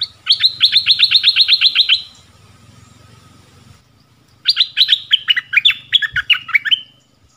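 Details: Caged decoy dok taeng bird in the forest calling for a mate, 13 January 2021; a fast run of evenly spaced, sharp high chirps for nearly two seconds, then a quiet gap and a second, more varied chirping phrase.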